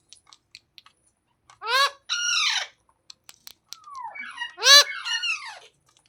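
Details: Green parakeet producing loud, hoarse screeching squawks in pairs, some notes sweeping down, with small clicks and ticking noises around them in a quiet room.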